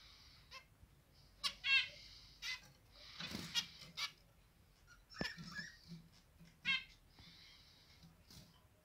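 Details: Pet zebra finch, one of a pair whose three chicks left the nest three days ago and now feed themselves with their parents' help, sings a quick string of nasal, buzzy notes and sharp clicks in short bursts.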